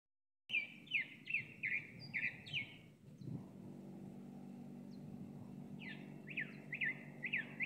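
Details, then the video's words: A chalk-browed mockingbird, apparently an old bird, sings quick runs of bright, slurred, mid-high notes, about three a second, pausing then resuming, over a low engine hum. "Calandria grande cantando"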